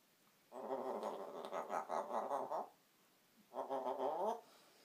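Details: African grey parrot kept as a pet, making a snoring noise indoors. Two low, grating, harmonic rasps are heard, the first about two seconds long and the second about one second, with a quiet pause between them.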